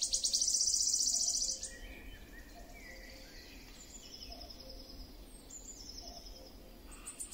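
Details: Wood warbler song ending: a loud, high, shivering trill lasting about a second and a half, then quieter with faint distant bird notes and low background hiss.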